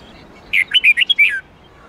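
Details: Red-whiskered bulbul's '8-9-10 note' twisting song, played to teach caged bulbuls: one brisk phrase of about six lilting whistles, some sliding down, the last note drawn out, in quiet surroundings.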